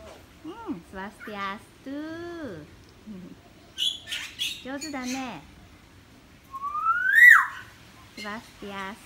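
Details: Common hill myna kept in a cage with one perch in a Sanur neighbourhood, Bali, July 2019, a Bali myna behind it; bent harmonic calls and squawks, then a bright rising whistle, with nearby voices.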